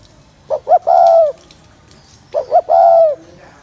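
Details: Spotted dove cooing to excite males: two phrases about 1.8 seconds apart, each two short clipped notes followed by a long, steady, slightly wavering coo, over quiet background.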